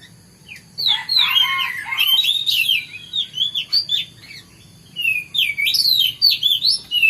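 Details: Oriental magpie-robin in morning song: dense, rich warbled whistles with quick up-and-down slides, broken into several phrases, over a faint low background hum.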